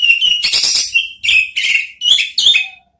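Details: Orange-headed thrush (anis merah) ngeriwik song: a fast, scratchy chattering burst followed by four separate sharp whistled notes spaced about half a second apart, then a faint lower tone.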